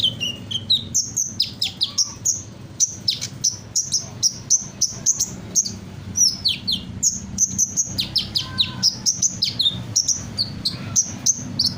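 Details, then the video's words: Vigorous sunbird song mimicking many other birds: a nearly continuous stream of high, sharp chirps and quick downward whistles, densely repeated, over a constant low background hum. "Burung Kolibri gacor, menirukan berbagai suara burung"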